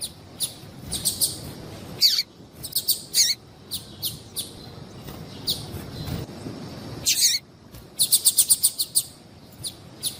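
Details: Female yellow-bellied seedeater calling to attract males: irregular high chirps and short bursts, a couple of longer buzzy notes, and a fast run of evenly spaced thin tweets near the end.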